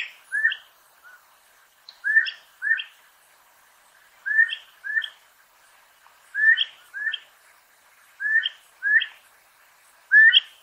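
An elegant crested tinamou gives clear, fluty whistled notes in close pairs, each pair repeated about every two seconds against a quiet background.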